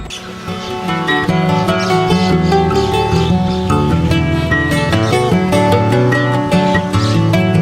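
Strummed and plucked acoustic guitar music plays steadily, with no animal sounds heard.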